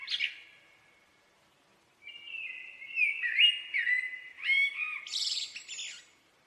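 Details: Common blackbird singing: a short sharp note, a pause, then a mellow warbled phrase that wavers and slides, ending in a high squeaky twitter. No other sounds.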